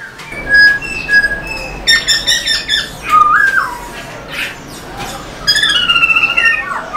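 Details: Caged black-throated laughingthrush singing and tail-dancing to excite other birds: short steady whistles, a stretch of harsh chattering notes, a clear rising-then-falling whistle, and a final run of buzzy chatter and looping whistles.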